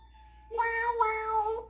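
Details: Male African grey parrot performing mimicry at home; a drawn-out meow imitation with a steady tone and clear harmonics, lasting over a second, after a faint background hum.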